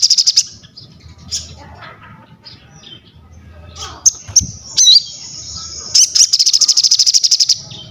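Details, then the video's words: Crested jay heard through soft low background noise: scattered faint chips, a sustained high whistled note with a dip, then a long rapid rattle of even, high clicking pulses. "SOGON GACOR UNTUK ASAH MENTAL, MASTERAN DAN PANCINGAN BUNYI"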